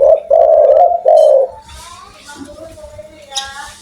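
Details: Spotted dove with a loud voice, giving three strong hollow coos in the opening second and a half, followed by quieter sounds and a faint hum.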